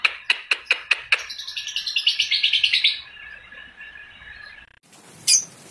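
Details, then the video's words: Balibu lovebird in full voice, giving the long chattering ngekek song: a run of sharp high chips speeding into a rapid, rising ripple of shrill notes, then a thin level tone and a final squeak. "LOVE BIRD BALIBU GACOR NGEKEK PANJANG"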